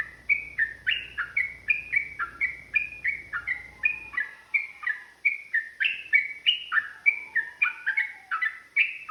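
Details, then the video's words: Trucukan, the yellow-vented bulbul, provoked into fighting song: a long 'ropel' run of quick downslurred chirps, roughly three each second, continuing evenly; a low background hum fades out partway through. "TRUCUKAN GACOR ROPEL PANJANG | Pancingan AMPUH Burung Trucukan agar bunyi jadikan EMOSI"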